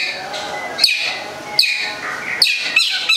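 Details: Long-tailed shrike from Gedong Songo in Central Java uttering harsh, scratchy notes roughly every three quarters of a second, mixed with brief chattering.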